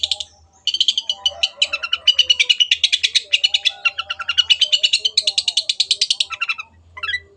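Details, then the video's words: Long-tailed shrike in full, energetic song: a dense, fast run of chattering, trilled notes repeated about three times a second, sustained for several seconds with a brief pause, then a final short rising note. "MASTERAN BURUNG CENDET GACOR"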